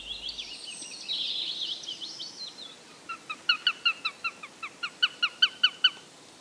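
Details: In thick summer woodland foliage in British countryside near a village, a Eurasian sparrowhawk, thought to be a female, gives a quick series of sharp, high kek notes, about three per second, after thin, jumbled chatter; the calls suggest a male nearby.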